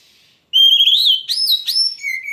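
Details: Oriental magpie-robin song: a loud steady whistle bending upward, two sharp rising whistles, and a trailing lower whistled note.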